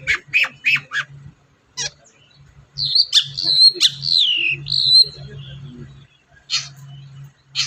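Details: Long-tailed shrike song played to get a silent shrike singing: a few quick scratchy notes, then a run of clear whistled, sliding and warbling phrases, with a steady low hum in the background.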